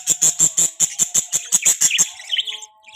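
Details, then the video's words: Baby budgerigar kept as a pet, chirping: a fast series of about twelve high, sharp chirps in two seconds, then softer warbling notes trailing off. "budgie chirping sound"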